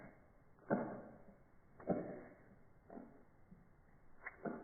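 Barn owl giving four harsh, breathy hissing screeches, each under half a second, spaced about a second apart, over quiet background hiss.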